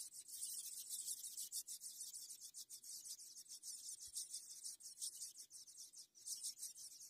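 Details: Ultramarine grosbeak chicks begging while being fed: a soft, continuous run of rapid, high, raspy pulses keeps going without pause, with faint background hiss.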